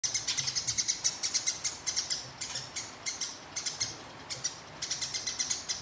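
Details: House sparrow fighting a rival, giving long chattering calls: fast bursts of dry, high clicking notes, about eight per second, in several runs separated by short pauses.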